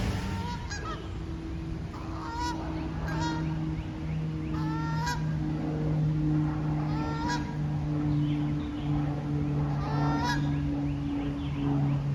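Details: Wild Canada geese in nature giving loud nasal honks in irregular bursts, several per second at times, each with stacked harmonics, over a steady low hum from flowing water and faint chirps of other birds.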